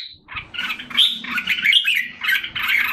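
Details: Singapore red-whiskered bulbul, caged and regaining condition, 7 July 2017. A quick, bubbly phrase of slurred, whistled notes rises and falls, followed by a short chattering burst.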